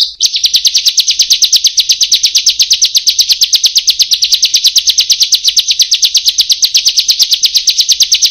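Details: Song of a bar-winged prinia from a training recording for lazy birds: a long, unbroken, rapid trill of high, buzzy notes, very even in pace and pitch throughout.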